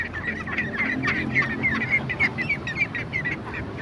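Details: A group of ducks giving quick, bright nasal calls at about three per second, overlapping and unevenly spaced, with a soft low hum underneath.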